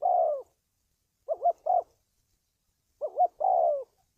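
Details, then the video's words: Spotted dove call used as a trapping lure and for decoy training: a drawn-out falling coo, a pause, two separate quick rising notes, then after another pause one full phrase of double note and descending coo. "tiếng chim cu gáy luyện mồi kích bổi,đi bẫy hiệu quả"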